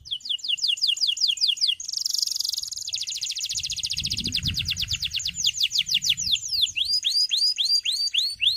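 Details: Singing male canary used as a rival call to train young canaries: high falling whistled sweeps lead into a long rapid rattling trill, ending in quick curved chirps, with faint low rumble in the middle.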